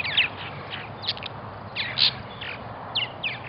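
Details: Purple martins at a nesting colony in Melbourne, Florida: scattered short gurgling, croaking chirps every half second or so over steady background noise.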